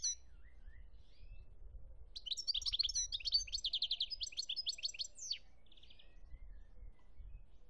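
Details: Algerian recording from 2017 of a European goldfinch: a sustained, lively run of high twittering notes and rapid trills lasting about three seconds, followed by a short buzzy trill, with quiet between phrases.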